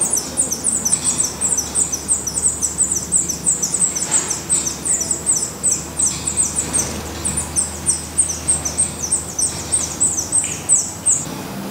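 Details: Black redstart nest in Portugal: long, continuous chorus of very high, thin, down-slurred squeaks, roughly three per second, several voices overlapping, with a low steady hum underneath.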